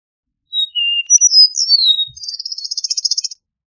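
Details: Singing Eastern meadowlark: sweet slurred whistles rising and falling, then a quick buzzy chatter of rapidly repeated pulses, with silence before and after.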